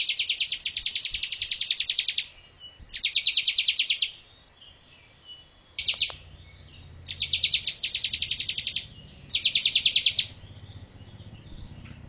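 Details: Bar-winged prinia singing as a master song for training birds: separate bursts of one to two seconds of rapid, high, rattling chirps, with short quiet gaps and a faint low background hum.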